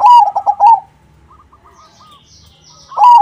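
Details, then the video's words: Zebra dove of the crossing type, used as a lure so other perkutut reply: a loud rolling coo phrase opens and another begins three seconds later, with faint distant doves cooing in the gap. "Suara Burung PERKUTUT CROSSING Gacor, Paling ampuh untuk pancingan -Semua perkutut nyaut."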